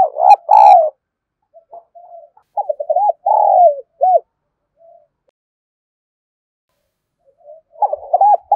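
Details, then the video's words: Spotted dove in 'kích bổi' lure style: a strong opening coo, then scattered soft notes building to a burst of arched, hooting coos mid-clip, silence, and a fresh coo phrase starting at the end. "Chim cu gáy kích bổi"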